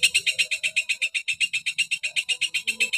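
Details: A rapid run of identical harsh, ringing notes, roughly seven per second, delivered steadily by a long-tailed shrike in full sharp 'tembakan' song.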